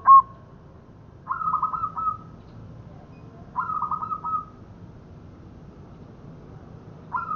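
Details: Zebra dove, local type, cooing as a trapping lure: a brief note, then longer quavering, stuttered coo phrases about every two to three seconds, clear against a quiet background.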